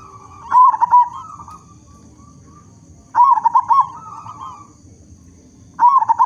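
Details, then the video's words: Loud-voiced local zebra dove singing to prompt others of its kind to sing; a quick run of throaty, bouncing coos repeats about every 2.6 seconds, each followed by a softer rolling trill. "Perkutut Lokal Gacor Suara Besar Cocok Untuk Pancingan Semua Jenis Burung Perkutut Agar Bunyi"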